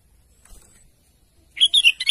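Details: Sooty-headed bulbul, said to be calling its companion, gives a quick run of four or five bright, bubbly whistled notes after a quiet start.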